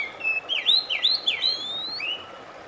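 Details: Oriental magpie-robin singing, a recording aimed at calming stressed birds that have stopped singing: a run of rich, swooping whistles that dip and rise, ending in a single upslurred note above low background hiss.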